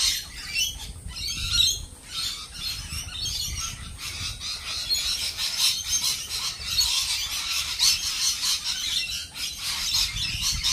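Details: A crowd of lorikeets producing a continuous wash of shrill, scratchy chatter with scattered sharper screeches and no clear pauses.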